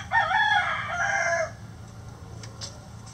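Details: Rooster crowing: one loud harmonic crow of about one and a half seconds with a wavering, falling ending, followed by faint clicks and a quiet background.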